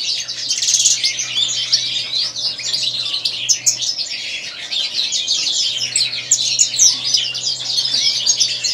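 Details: Sustained twittering from a white-throated European goldfinch: fast tinkling chirps, rattles and nasal buzzes tumbling together in a long, unbroken high-pitched stream.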